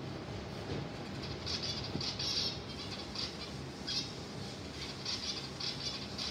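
A black-cheeked finch sings thin, high, wheezy notes in short bursts every second or so, over a steady low indoor rumble.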